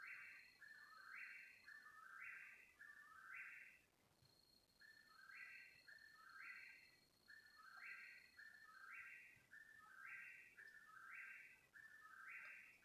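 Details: Unknown bird calling at 3 in the morning for around half an hour: insistent repeated two-part notes, upper and lower tones linked, nearly one per second with a brief pause, a faint steady high whine in places.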